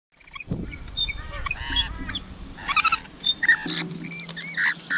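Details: Rainbow lorikeets feeding: a busy mix of short, harsh squawks and thin whistled chirps with rising and falling harmonic notes, plus a low humming drone underneath.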